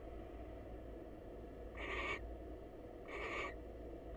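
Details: Greeting visit by a wild female barn owl to her male counterpart in a nest box: a pair of harsh, airy screech bursts, each under half a second, separated by just over a second, with background hum.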